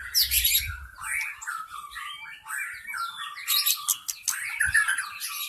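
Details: Forest white-rumped shama lure song for drawing in wild birds: dense bursts of varied whistled phrases and chattering notes, loudest near the start and end, with a brief low thump early on.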